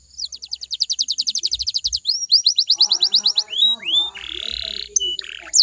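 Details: Canary song played to get other canaries to sing back: a fast even trill of rising notes, then downward-sweeping whistles, and a harsh buzzy burst near the end, with low dull thumps underneath.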